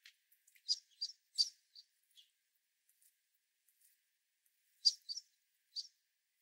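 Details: Sparrows, including American Tree and White-throated Sparrows, jostling at a platform feeder in a winter storm; high thin chip notes, a quick cluster of four near the start, a pause, then another short burst of three.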